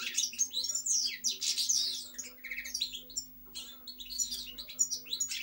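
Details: Goldfinch song of bright twittering phrases and a short buzzy trill mid-way, then a brief pause before chirping resumes, over a faint low hum.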